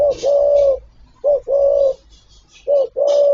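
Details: Spotted dove calling, one of its repertoire of calls and coos: low hollow coos near 600, a short note followed by a long sustained coo, repeated three times with faint high hiss above.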